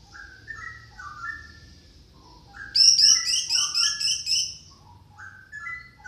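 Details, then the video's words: Orange-headed thrush tutor song, played to prompt a silent or lazy captive bird to sing. Soft descending whistled notes give way to a fast burst of repeated metallic trills, then more gentle falling whistles. "pancingan anis merah malas bunyi masteran anis pancingan anis macet"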